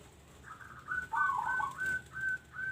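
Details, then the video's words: Local zebra dove producing a warbling, trilled cooing run over a steady background of thin whistled tones, with a noisy hiss throughout. "Bunyi Perkutut Lokal"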